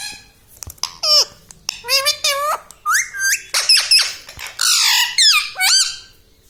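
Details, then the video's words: Pet parrot indoors, saying 'mummy papa'. It produces a continuous flow of mimicked speech syllables, with harmonic tones that dip, rise and flatten like words, separated by brief clicks and pauses. "parrot talking mummy papa"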